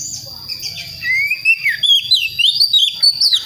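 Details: Young Priangan magpie-robin, taken from a West Java forest, practising its song; thin whistled notes slide upward, then a few short rising and falling whistles follow, over a steady high background tone.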